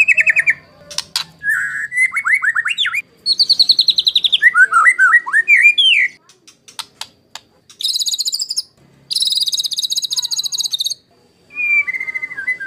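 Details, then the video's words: Varied white-rumped shama song, 'tembakan kasar' master material for contest birds: short whistled phrases, twisting warbles, dry clicks and several bursts of buzzy rattling trills, separated by brief gaps. "MASTERAN MURAI BATU TEMBAKAN KASAR~SHAMA BIRD SINGING"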